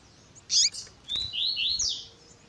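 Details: Double-collared seedeater in the 'tui tui zel zel' style, mixed with a female's piping calls meant to excite males: a short burst of high chirps, then a run of rising slurred whistles, fairly faint, over a quiet background.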